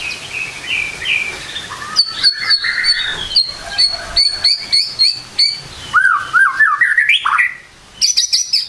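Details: White-rumped shama singing in the morning, used as a lure recording. Varied phrases of clear whistled slurs alternate with sharp high chips and rapid clicking notes, ending in a rising run of looping whistles and a brief burst of high ticks.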